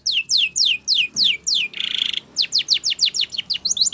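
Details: Spanish Timbrado canary song used for training: rapid series of bright descending whistled notes, a brief buzzy rattle in the middle, then quicker downward sweeps repeated about three times a second.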